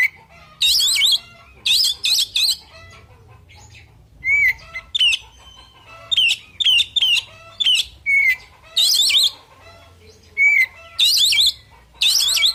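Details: Oriental magpie-robin in a fighting mood: harsh, buzzy chatter bursts alternating with clear, falling whistled notes and quick chirps, repeated in an irregular rhythm.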